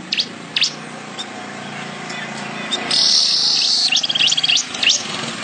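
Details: Weaver singing for songbird training: scattered sharp high chips, then a long dense buzzy high-pitched trill lasting about two seconds, followed by a few more chips over a steady low background hum.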